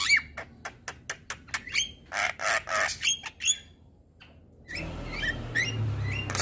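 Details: Male Javan myna tutor song said to rile other mynas: a rapid series of dry clicks and rasping squawks, a pause, then softer chirps over background hum.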